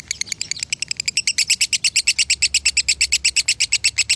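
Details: An Indonesian lovebird from Salatiga singing the extended 'konslet' style gives a rapid, regular stream of piercing high chirps, building in strength and then running evenly for four seconds.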